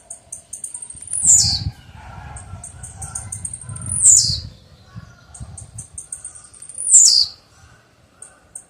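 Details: Blue-black grassquit repeating its buzzy, sharply falling 'tizíu' three times, each preceded by rapid high ticks, with low rumbling background noise.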